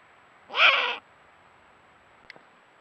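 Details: A female Eurasian eagle-owl (Bubo bubo hispanus) in breeding season, at night after the male has marked the territory, gives one harsh, hoarse courtship call, about half a second long, to her mate; a faint click follows, then quiet.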